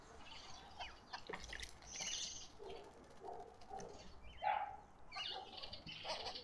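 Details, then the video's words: Several arrow-marked babblers in a suburban garden in Pretoria, South Africa, give harsh, scratchy chattering calls in uneven bursts, overlapping, with faint background noise. "Arrow-marked babblers"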